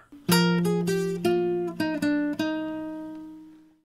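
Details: Acoustic guitar plucked and strummed indoors, a short run of ringing notes that fade out slowly; no animal sounds present.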